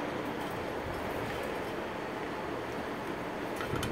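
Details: Dense, steady hiss and rumble, with a few faint clicks near the end and no clear animal voice.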